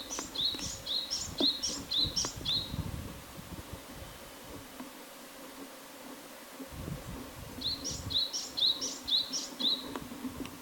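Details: Japanese tit song in two bouts, each of about five repeated two-note units, a thin high note then a lower rising whistle, delivered about twice per second, separated by several seconds of quiet with low background hum.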